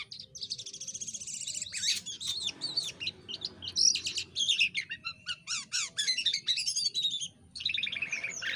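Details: Jalak kapas myna singing a lively medley for bird training, mixing scratchy chatter, rapid descending whistles and repeated sweeping notes in dense bursts, indoors with little background noise.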